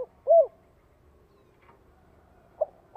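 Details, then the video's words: Spotted dove calling to lure wild doves and draw them in from afar to fight: short, low, hollow coo notes spaced by quiet gaps over a near-silent background. "TIẾNG CHIM CU GÁY GỌI KÍCH BỔI GỌI MỒI || BỔI NGHE TIẾNG TỪ XA LA ĐẤU CỰC CHUẨN"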